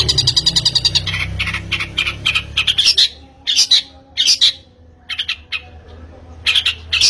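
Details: Long-tailed shrike lure used to draw song from other birds. Fast rattling chatter at first, then loud harsh scratchy notes given singly or in pairs with short pauses between them.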